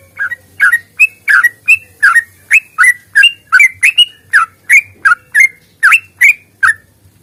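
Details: Sooty-headed bulbul in lively fighting song, a rapid-fire long series used to provoke singing: crisp whistled notes repeated nearly three times a second, alternating higher and lower pitches, with a faint low hum behind.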